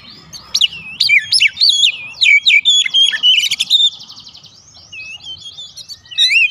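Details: Kacer (Oriental magpie-robin) lure song meant to trigger responses: loud slurred whistles, then a long buzzy rattling trill, fading into softer wavering notes before a final sharp note.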